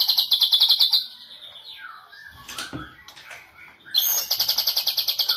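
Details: Medan-type white-rumped shama, national champion of the 2018 Presiden Cup contest, delivering loud, rapid, evenly repeated high notes, a gliding falling whistle and scratchy sweeps, then another fast pulsed burst in cililin style.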